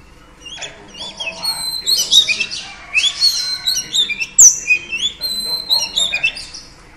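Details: Female oriental magpie-robin singing to stimulate males: varied clear whistled phrases, some rising and some falling, with short sharp notes in between, over a faint low hum.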